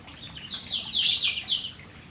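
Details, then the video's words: A white-rumped shama trained toward long continuous song: a dense, rapid, high warbling stream of chirps and trills that swells in the middle and fades out. "ngumbar burung murai batu biar napas panjang"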